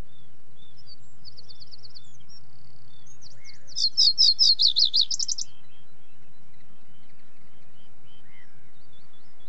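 A common reed bunting gives a brief, jangly song phrase of quick, high, buzzy notes. Fainter high twitters come before it over a low background rumble.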